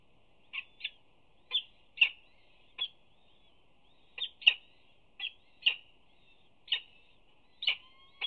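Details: Peregrine falcon mother at a UC Berkeley nest scrape on 25 April 2019 tears prey for her two chicks' first feeding, chirping so they open their beaks: short sharp chirps, singly or in pairs, at irregular intervals.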